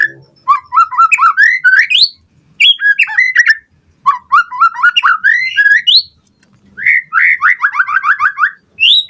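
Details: White-rumped shama, a lively singing bird used as a lure to provoke other birds to respond: loud whistled phrases of rapid rising notes, repeated series climbing from low to high, in bursts separated by short pauses.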